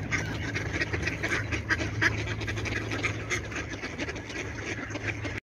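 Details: Several ducks quack in busy, overlapping bursts against a constant low background drone.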